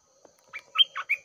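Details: Red-whiskered bulbul decoy bird singing at 6 am, used to lure a wild bird into a fight; a short phrase of four rich whistled notes, rising and falling, with a faint click before.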